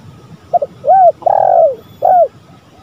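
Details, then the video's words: Lure recording of calling male and female spotted doves: a quick stuttered note, a rounded coo, a long vibrating coo that slides down, then a final arched coo, against quiet background. "Pancingan tekukur gacor"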